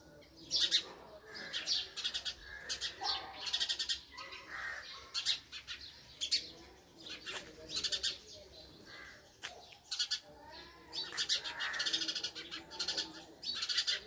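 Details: Steady chirping of a female house sparrow: rough, clipped notes in irregular runs of several, some slightly rising, continuing throughout with short pauses and a faint, lower chatter between bursts.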